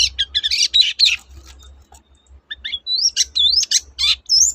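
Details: Toet-toet song of a long-tailed shrike, meant to coax quiet shrikes back into song: rapid scratchy chatter, a short gap, then upward-sweeping whistles and high slurred notes, with a faint low hum beneath.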